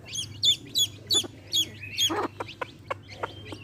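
High, thin chick peeps repeat about three times a second. Each is a quick downslurred whistle, and a low hum runs underneath.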